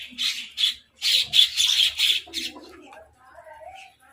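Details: Crows fighting over food, with mynahs also present; about six harsh, buzzy caws follow one another at a quick, uneven pace before fading into softer, scattered chatter.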